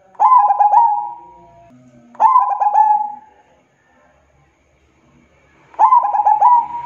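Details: Zebra dove, local perkutut, singing energetically: three phrases of quick stuttering coos trailing into a long even note, with a longer silent gap before the last phrase.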